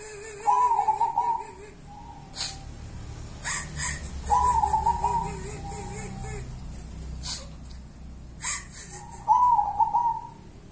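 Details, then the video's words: Local wild-type zebra dove, called 'perkutut kuntilanak', with three bursts of bubbling trilled cooing spaced several seconds apart, over a faint wavering lower tone, plus clicks and knocks. "Perkutut kuntilanak"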